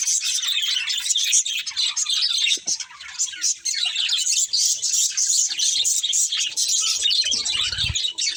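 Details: A group of budgies chirping nonstop, a busy mix of thin squeaks and buzzy warbles, with a brief low rumble near the end.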